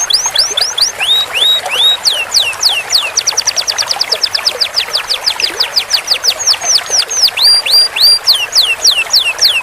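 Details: Canary song meant as a master for teaching long rolls: varied falling and rising whistles, a sustained fast trill in the middle, then more repeated down-curving notes at a brisk steady pace.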